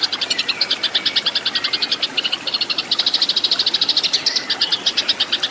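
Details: Fighting Eurasian tree sparrows, for training caged songbirds: rapid chattering chirps, clear and loud, repeated several times a second, with short breaks and uneven bursts.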